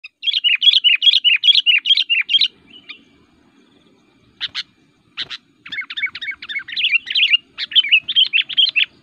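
A Sooty-headed Bulbul sings rapid, bubbly whistled phrases, repeated in quick bursts after a short pause, with a faint low hum beneath.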